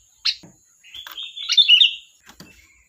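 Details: ['Sooty-headed bulbul: a sharp opening note, then a longer warbling, slurred whistled phrase that rises and falls, with a faint persistent high tone in the background.']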